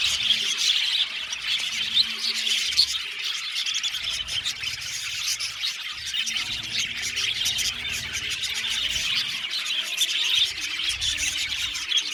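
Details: A colony of budgerigars in an aviary, chirping and singing without pause: thick high chatter of warbles and tweets from many birds, steady in level from start to finish.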